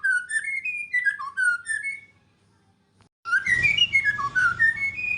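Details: White-rumped shama in full, active song: a run of sweet, varied whistled notes, a silent gap, then another rapid whistled burst over some low background rumble.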